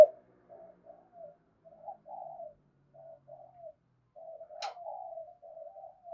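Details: Spotted dove of the Cườm Sa type giving its full calling sequence, used to lure wild doves. Soft, low hooting coos come in short broken phrases with pauses between them. A sharp click is heard near the middle.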